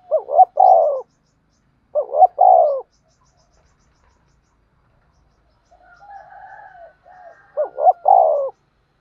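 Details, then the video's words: Decoy spotted dove calling and urging to draw in wild doves for trapping. Three loud low coo phrases, each a rapid double coo followed by a drawn-out falling note, with a softer wavering coo between them. "tiếng cu gáy mồi chuẩn gáy gọi và THÚC dùng kích bổi hiệu quả nhất"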